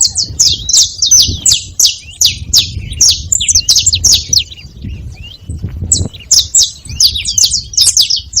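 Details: A saffron finch at a feeding spot chirps almost continuously, dense high sharp notes in rapid series, briefly slowing before another burst, low background murmur.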